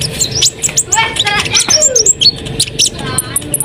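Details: Asian pied starling pouring out varied song to provoke other birds: rough chattering, sliding whistles and quick chirps, about two notes per second, over a low background hum.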